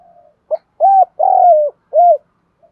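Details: Spotted dove calling to provoke a rival to fight; a short note, then three strong drawn-out coos, the middle one longest and slightly falling, with brief pauses between.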